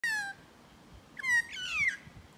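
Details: Magpie met at close range, giving a loud, slurred, descending nasal call, then two more strained, wavering calls after a second of quiet, all rich and harsh in tone.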